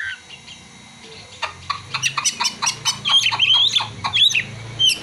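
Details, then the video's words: Oriental magpie-robin song mixed with mimicked prinia and sunbird material: a stream of fast, sharp ticking chirps speeding up, then bright rising whistles, with a low background hum throughout. "Kacer (materi ciblek dan kolibri)"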